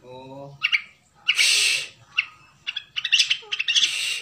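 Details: A white-rumped shama of the Bahorok type gives harsh, scratchy bursts mixed with sharp, high chirps in quick irregular phrases, after a brief low droning tone at the start.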